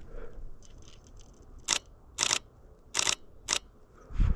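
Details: Sharp camera shutter clicks in four separate bursts, over low handling rumble and a final thump, with no animal calls.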